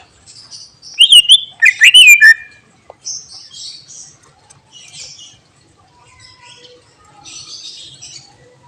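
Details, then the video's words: Greater green leafbird's mimicry-filled song, said to rile other birds. A loud cluster of sharp sliding whistles and chatter lasts about a second, then faint scattered high chirps continue. "Cucak Ijo Bongkar Isian Bikin Emosi Burung Lain"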